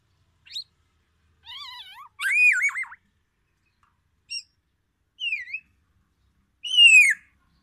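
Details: Black-naped oriole from Aceh, Sumatra, singing imitations of oriental magpie-robin: scattered varied phrases of rising whistles, wavering buzzy notes and descending slurred whistles, separated by short silences.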